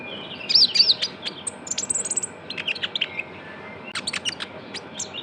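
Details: Young konin, Van Hasselt's sunbird, calling as a lure: busy, high, thin chirps and twitters repeated about four times a second in uneven clusters, with brief gaps between bursts.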